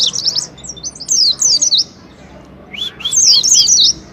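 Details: Oriental white-eye singing as a lure to encourage singing: two bursts of bright, high, warbling twitters separated by a quiet gap of about a second, with a low room hum behind.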